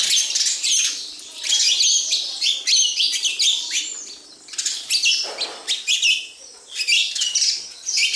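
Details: Flock of sparrows at a house giving rapid, piercing chirps in irregular bursts, several birds overlapping, with a brief fluttery rush partway through.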